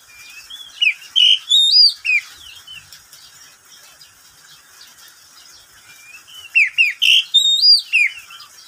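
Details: Oriental magpie-robin kept at home, singing in the middle of the day; a short phrase of sweeping whistles and sharp chirps, several quiet seconds, then a similar phrase repeated.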